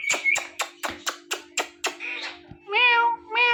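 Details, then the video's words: Pet male and female ringneck parrots mating in front of a mirror: a series of seven sharp rhythmic clicking notes about a quarter second apart, then drawn-out nasal, whining harmonic calls, indoors with a steady low hum. "Ringneck Parrots Making Mating Sounds In Front Of Mirror"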